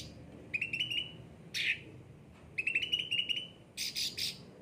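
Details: Cucak ranting singing vigorously: two runs of fast, rising buzzy chips, each followed by a loud squeaky burst, in a quiet setting.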